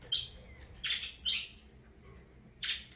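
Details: A few loud saffron finch chirps, one ending in a thin level whistle, then a pause and a final burst of notes.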